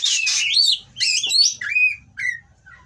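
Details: Breeding-condition Oriental magpie-robin in captivity giving provocative rough song for rivals: loud swooping whistles and squeaky slurred notes in separated phrases, with a soft low hum underneath.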